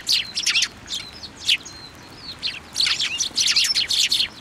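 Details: Several tree sparrows gather in a plum tree at a shrine in Japan in winter; loud clustered chirps in bursts with brief pauses, harsh sharp notes overlapping.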